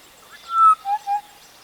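Western Black-headed Oriole giving three liquid, fluty whistles: a longer higher note, then two shorter lower ones in quick succession. Faint background hiss.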